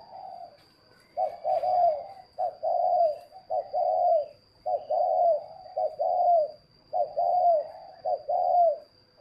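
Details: Spotted dove from a northern Vietnamese bird garden giving clear, loud coo phrases, each a short note then a drawn-out downslurred coo, repeated about once a second, over a faint steady high whine.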